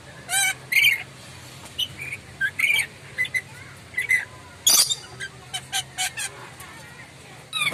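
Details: Loud, sharp calls of a Moluccan lory, a run of short harsh squawks and clipped chips spaced under a second apart, one very strong screech near the middle, over a steady low hum.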